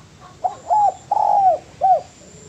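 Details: Master-song cooing of a spotted dove for training cage birds: a brief hoot, a drawn coo, a long rolling arched coo, then a final short falling coo.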